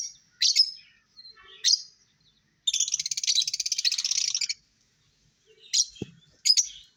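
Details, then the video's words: Lovebird song with scattered high chirps, then a two-second stretch of fast, buzzy chattering, followed by a few more sharp chirps and a soft tap. "Lovebirds Singing & Lovebirds Chirping sounds"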